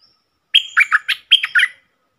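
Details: Wild red-whiskered bulbul replying to a caged decoy bird, giving two short bursts of rich whistled chirps, the first of four notes and the second of three, bright and warbling.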